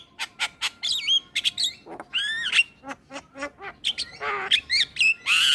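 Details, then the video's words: Singing male black-winged starling, used to draw in starlings: quick irregular clicks, a rising whistled sweep, nasal rasping notes and a harsh buzzy squawk toward the end. "Ocehan Jalak Kebo Jantan Untuk Pancingan Segala Jenis Burung Jalak"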